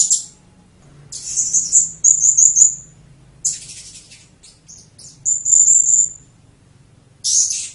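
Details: Blue-crowned hanging parrot song in 'tembakan' style: uneven bursts of high shrill notes, short buzzy fragments and a sustained thin whistle separated by quiet gaps, with a faint low hum beneath.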